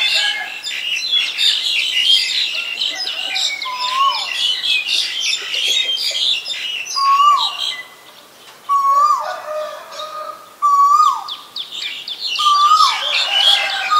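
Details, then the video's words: Asian koel giving a series of clear whistled notes that slide up then drop, repeated several times in the second half, set against a dense, busy chatter of high chirping from other birds. "นกกาเหว่า (Asian koel)"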